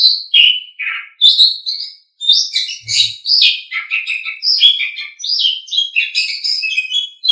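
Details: Asian pied starling (jalak suren) song for training pet songbirds: a long, varied stream of whistles, squeaks and chattering notes delivered rapidly with only brief pauses, plus a faint low thump.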